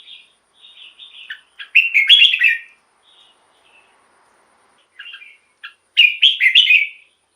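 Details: Red-whiskered bulbul song for rousing caged bulbuls: soft high twittering leads into a loud, rich warbled phrase, a quieter pause with a few chips, then a second bright warbled phrase.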